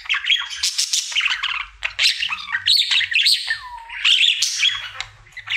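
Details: Male budgerigar singing indoors in its everyday routine, chattering with harsh buzzes and squeaks, then a smooth whistled note that drops and levels off, before more bright chirping.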